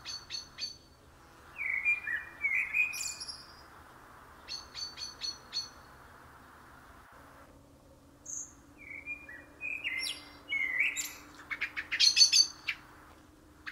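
Common Blackbird song: short mellow, fluty phrases, each ending in a thin, squeaky high twitter, with pauses between, over a steady background hiss and low hum.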